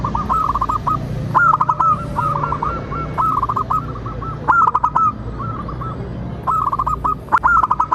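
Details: Local zebra dove in full song, meant to make other zebra doves sing and answer: repeated stuttering phrases of soft trilled coos, roughly every second or two, with faint clicks and a low background drone.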